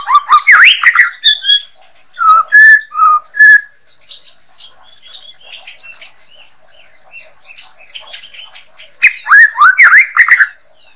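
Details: White-rumped shama master song for training birds: bursts of loud varied whistles and sharp chirps at the start, quieter scattered twittering in the middle, then another loud run of rapid slurred whistles near the end.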